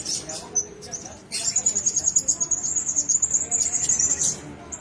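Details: In a cage holding several blue-crowned hanging parrots, a few sharp high squeaks are followed by a long run of rapid, thin, squeaky twittering at a very high pitch that lasts about three seconds.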